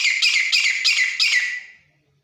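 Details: Grey francolin, a wild-caught local bird now kept at home, gives a loud, shrill series of about five ringing notes, each roughly a third of a second apart, then falls silent.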